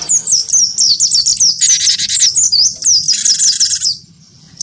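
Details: Cinereous tit, wingko variety, provoked into fighting song by a white-eye: dense rapid high whistled notes sliding downward, overlaid by two harsh buzzy chatter bursts, then sudden quiet.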